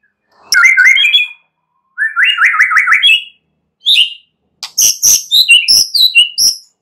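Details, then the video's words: White-rumped shama singing at night to stimulate song: repeated rapid whistled phrases in short bursts with brief pauses, ending in high sharp chipping notes. "Pancingan murai batu MALAM HARI agar GACOR dan NGEPLONG"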